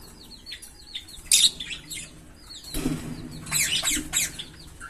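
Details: Green Fischer's lovebird pair chirping: a string of thin, quick downslurred tweets, then louder harsh, buzzy bursts grouped in a rapid cluster near the end.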